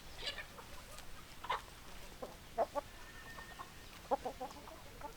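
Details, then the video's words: Hens giving sparse, separate clucks, a few louder paired notes standing out against a quiet hissing background. "Chicken Sounds Noises Hens Clucking Roosters Crowing"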